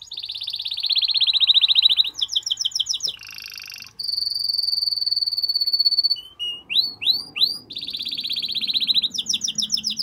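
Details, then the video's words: Canary in strong song to excite the female toward mating; fast repeated trills, a buzzy low rattle, a steady high tour and rising slurred whistles, with faint background hum. "تغريد قوي لتحفيز الإنثى لتزاوج"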